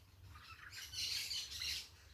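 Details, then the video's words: Noisy parakeets outdoors: loud, grating, high squawks in quick overlapping bursts that swell in the middle and again near the end, over a soft low rumble. "som da natureza com periquitos fazendo barulho"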